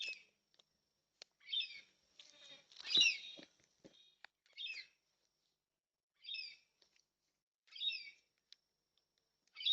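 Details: Yellow-tailed black cockatoos, four birds at a backyard bird feeder in NSW, Australia, recorded on a security camera on 20/3/26: short harmonic squawks repeated at irregular intervals, with a louder, noisier burst near the middle.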